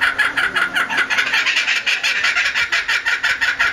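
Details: Captive laughing kookaburra at Higashiyama Zoo on 25 May 2011, its call likened to real laughter: dense, rolling bursts of coarse chattering notes, slightly uneven in rhythm, held loud for the whole stretch.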